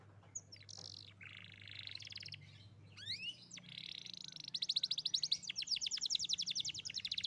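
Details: Young canary song, used as a prompt to get a canary that has stopped singing to start again: a high buzzy rasp, scattered rising whistles, then a fast loud trill of rapid repeated notes, over a faint low hum.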